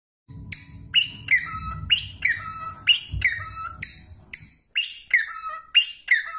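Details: Cockatiel whistling a beautiful repeated phrase: bright, clear whistled notes that rise and then slide down in short, quick pairs, over a low rumbling hum that stops partway through.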